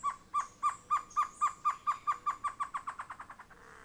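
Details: Great antshrike calling a long run of about seventeen hollow, even-pitched notes that speed up and soften toward the close, ending in a brief rattle-like tail.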